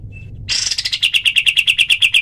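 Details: Kapas tembak bird's 'tembakan' call for training other birds starts with a harsh, blurred burst, then settles into quick, evenly spaced, high, sharp chirps.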